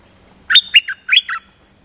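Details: Nok dok taeng songbird singing in a decoy recording with steady doubled phrases: a burst of five bright, slurred chirping notes in two quick groups, clear against a quiet background.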